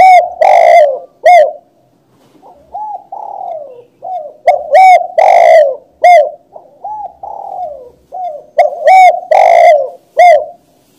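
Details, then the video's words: Spotted dove song in a continuous series of low coos, some loud and harsh-edged, others softer and falling, grouped in phrases about every two seconds, with brief pauses between groups. "suara burung tekukur // suara burung balam"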